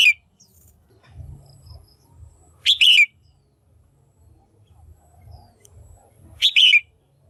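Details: Female red-whiskered bulbul calling to stimulate males or for pairing: three loud, brief, chirpy double notes that slide downward, spaced several seconds apart over a faint low rumble.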